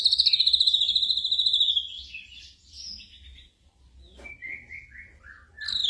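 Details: Black drongo song used to train caged birds at night: a bright trilled whistle gradually falling over two seconds, soft warbled notes, a sharp click, then a short series of descending whistles.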